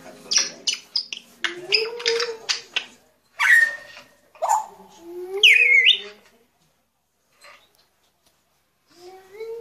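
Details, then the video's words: Grey parrot with a rapid run of clicks and chirps, then hoarse squawks and a sliding whistle, before falling quiet with soft notes at the end. "Jako Papağanı Sesi"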